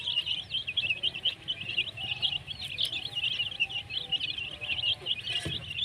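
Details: Baby chickens chirping: a dense, continuous chorus of high, thin peeping notes from several chicks overlapping without pause, with a low background rumble and a brief knock near the end.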